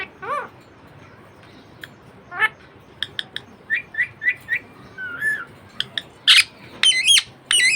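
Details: Pet budgerigar chattering: scattered sharp clicks and ticks, short repeated warbled chirps roughly once per second, a wavering whistle, then loud harsh rasping squawks with wavy pitch toward the end.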